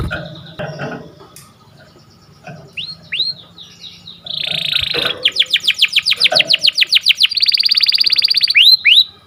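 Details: Canary singing in the morning: after a few quiet seconds of faint scattered notes, a loud buzzy trill gives way to a fast rattling roll of repeated chips, then a steady buzzing tour ending in two upslurred whistles.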